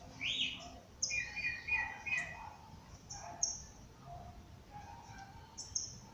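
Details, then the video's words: Morning birdsong in nature: a rising whistle, then a buzzy warbled phrase, followed by scattered high chips and soft lower notes from several birds over light background hiss. "pássaros cantando no amanhecer"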